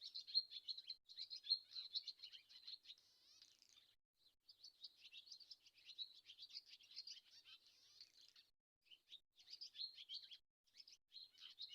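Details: Swallow twittering in a long, busy stream of high chirps and warbles, broken by short pauses, with a buzzy, rattling trill near the middle; no other sounds stand out.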